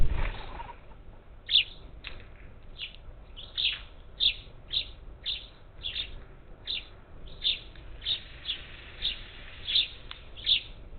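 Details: Group of up to ten parakeets at a Gulf Coast feeder near Houston, Texas, 27 July 2021; a brief low thump opens, then a long chattering string of scratchy chirps, nearly two per second.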